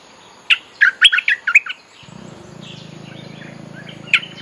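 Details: A bulbul used to call in wild birds gives a rapid run of six or seven bubbly, liquid notes, followed by a steady low hum and one more note at the end.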